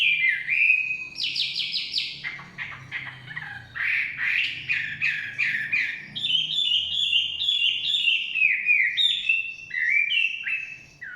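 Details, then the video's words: Chinese hwamei singing in the forest: a rich, varied run of loud whistled and rasping phrases, some notes repeated in quick series, shifting pitch from phrase to phrase, with faint low background hum. "Nikmatnya kicauan wambi/huamei hutan.."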